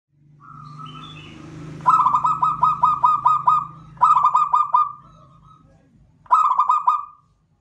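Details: Zebra dove, a local Javanese perkutut labelled Klowongan, giving a rhythmic cooing song: a soft lead-in, then three bursts of rapid, pulsed, mellow coos, the first long, with a low hum beneath.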